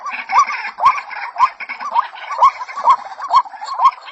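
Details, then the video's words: Rhythmic hoarse croaks from a white-breasted waterhen female calling to a male, each note rising sharply, repeated about twice a second, with a murmuring chorus behind. "SUARA BURUNG RUAK RUAK"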